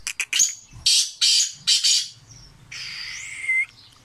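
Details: Sindhi black francolin, said to be fearless, gives quick clicks leading into four harsh, grating bursts, followed by a steadier, drawn-out squeaky tone with a faint low hum beneath.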